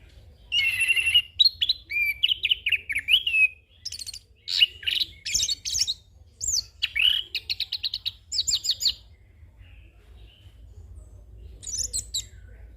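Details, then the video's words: A young orange-headed thrush pours out its rolling song full of fill-in phrases, used as a training and lure recording: a loud whistled opening, a chain of warbled slurs, then fast repeated buzzy trills before a pause and one last high phrase. "Anis Kembang Ngeroll Full isian - Masteran dan Pancingan Burung Anis Kembang Muda"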